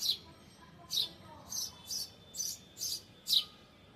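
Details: Bird sitting on a balcony grill chirping: a run of seven brief, high, scratchy chirps spaced about half a second apart, soft against low room noise.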